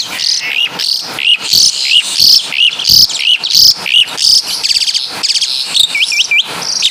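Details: Javanese Asian pied starling singing full kapas tembak and caladi imitations: loud, piercing high notes repeated roughly every two-thirds of a second, ending with a trio of short dropping whistles.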